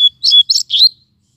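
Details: Double-collared Seedeater in full song during a rest in the shade on a hot day before its moult; a brief clear tone followed by three fast, sharp, chattering whistled notes packed into under a second.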